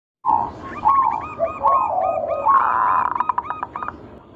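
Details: Local zebra dove lure song, used to prompt other doves to sing: soft low coos give way to a run of quick repeated hooked notes, then a steady higher tone broken into rapid pulses near the end.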